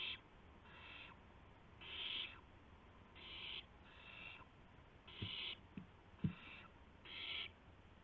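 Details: Owls at dawn, 5:50 AM on March 26, 2016, one arriving with a gopher and another with a mouse; a harsh, raspy call repeated about every second over steady low background noise, with a few faint clicks.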